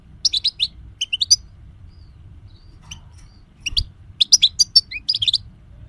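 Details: European goldfinch song recorded as a training tutor for other songbirds: bursts of high, bright twittering notes and liquid trills, in two phrases separated by a quiet gap with a few isolated chips, over a faint low hum.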